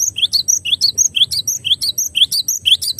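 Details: Glatik batu, the cinereous tit, singing a continuous run of bright, high, repeated two-note phrases at a brisk, even pace, a faint constant electronic whine underneath.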